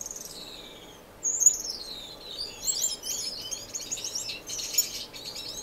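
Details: In an indoor community aviary in Edmonton, Canada, on March 26, 2015, finches give thin falling whistles, then a rising, wavering warble that breaks into continuous high twittering.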